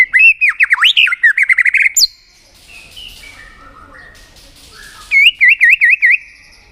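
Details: White-rumped shama, tail-flicking and singing to arouse another shama for contest singing: a rapid varied warble, a quiet gap with faint soft notes, then a quick wavy whistled trill.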